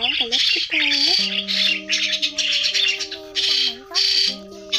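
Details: Trapping lure of migrating white-headed starlings: harsh rasping squawks and bent nasal notes, then a long stretch of steady, level humming tones beneath continued screechy bursts.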